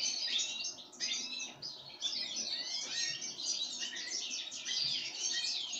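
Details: Sunflower-seed feeding of pine grosbeak: unbroken rush of high chirps and slurred downward notes, many overlapping, the first second set off by a short gap.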